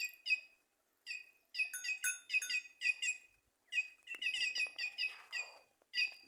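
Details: Cancão, the white-naped jay, calling from trees in Simões, Piauí, northeastern Brazil; rapid runs of ringing, harmonic notes repeated nearly without break, with brief gaps, later notes slightly rougher and overlapping.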